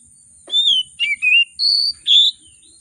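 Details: Agitated oriental magpie-robin in full song, used as a lure to coax reluctant birds to sing, with rich varied phrasing: five loud clear whistled notes, some sliding down and one rising, over a faint steady high whine.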